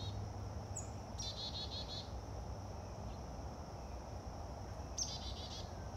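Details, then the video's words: A chickadee scolds persistently for about a minute with two bursts of fast, buzzy 'dee-dee-dee' notes, over a steady high insect drone and a low background rumble. "A chickadee yells at Sokie for a solid minute"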